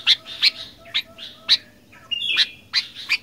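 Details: Sharp, bright chirps from a sooty-headed bulbul come roughly twice a second in fighter-style song, with one longer steady whistle near the end.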